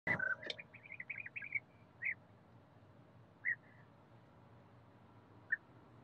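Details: European bee-eater in a forest setting: a burst of rolling, trilled calls in the first second and a half, then single short purring notes spaced about two seconds apart, after a sharp knock at the start.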